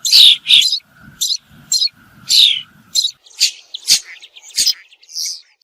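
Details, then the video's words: A bird utters high, slurred chirps and short twitters at an uneven pace, over faint low murmuring in the first half. "The sound of a bird"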